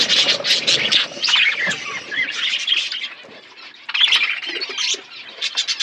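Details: Budgerigars feeding in an open-air aviary give loud bursts of shrill twittering chirps, easing to quieter chatter midway before swelling again.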